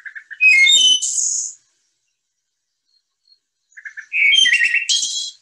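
Wood Thrush song, two phrases: soft low notes leading into a flute-like ee-oh-lay followed by a fast shimmering trill, repeated after a three-second pause.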